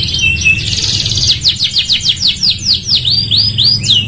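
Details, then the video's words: A canary's training song for other birds: a high buzzy rolling trill gives way to a series of distinct swooping notes, each sliding down, repeated about three times a second, with low hum underneath. "MASTERAN TERAPI KENARI GACOR | CANARY SINGING"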